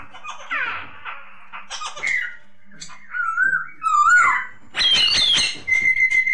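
Masked laughingthrush singing a varied run of clear, sliding whistles, some rising and some wavering, broken by harsh, chattering bursts. Recorded indoors.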